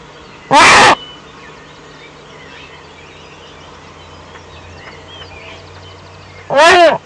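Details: Eurasian eagle-owl at its Eifel nest at dawn, 05:40 on 17 May 2013, an adult visiting off camera; two loud, harsh, rasping screeches about six seconds apart, with faint songbird chatter between them.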